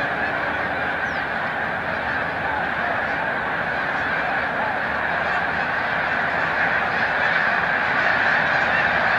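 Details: Snow geese massed at Montezuma, New York, during peak spring migration on March 7, 2022, calling as a flock; countless nasal honks merge into a continuous roar, growing slightly louder toward the end.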